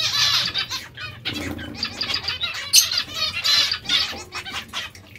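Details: Breeding pairs of zebra finches in captivity: rapid nasal, twangy notes and short buzzes from several birds, tumbling almost without pause, with a faint low hum behind.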